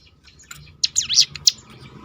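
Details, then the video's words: Crested honeyeater (ciblek gunung) producing a short burst of its 'tembakan' roll, used to provoke other birds to sing: a few quick, high, wavering notes dipping and rising, then a sharp single note, over quiet background. "roll tembakan ciblek gunung memancing bunyi burung lain"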